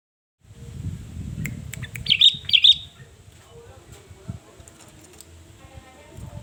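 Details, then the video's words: Sooty-headed bulbul song used to lure and provoke rivals: two bright, liquid whistled phrases around the middle, each a quick rising-falling flourish, over a low rumbling background with faint clicks. "SUARA BURUNG KUTILANG GACOR 2022//SUARA PANCINGAN BIKIN EMOSI LAWAN"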